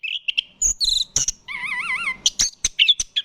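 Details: An orange-headed thrush (anis kembang), a popular, widely captive-bred Indonesian songbird, sings a rapid, varied run of sharp chips, buzzy notes and clear wavering whistles, with a warbled trilling phrase in the middle.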